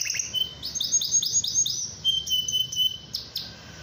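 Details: Atlantic canary in full song meant to spur other canaries to sing: a fast series of high swept notes repeated about five times a second, a sustained pure whistle, then sharp clipped notes.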